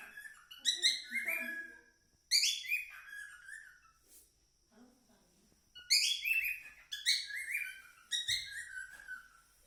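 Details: Cockatiel song in short energetic phrases: scratchy, descending chirp clusters with bright overtones, separated by quiet gaps of one to three seconds, and a faint thump near the end.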